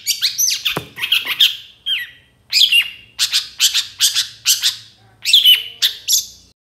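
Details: Long-tailed shrike song used to provoke other shrikes to sing: varied harsh, chattering bursts in short groups separated by brief pauses, scratchy and high-pitched, with some sharper squeaky notes.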